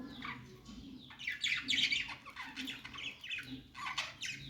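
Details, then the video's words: Budgies singing and chirping, said to be making a happy sound: bursts of scratchy, squawky warbling chatter in quick irregular runs, some louder phrases in the middle, over a steady low hum. "Budgies singing"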